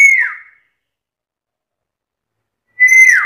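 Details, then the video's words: Very chatty black-capped lory able to talk: a fading downward-sliding whistle, then quiet, then another strong, clean whistled note starting. "BURUNG NURI KEPALA HITAM GACOR BISA NGOMONG SUPER CEREWET"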